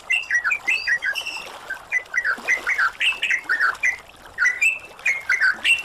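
Yellow-vented Bulbul giving lively, bubbly warbled phrases of mid-high notes, repeated roughly every second with short gaps, over a faint hiss.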